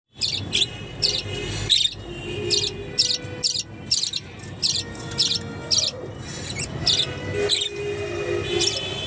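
A budgerigar gives rapid, scratchy high chirps in quick bursts, chattering almost without pause.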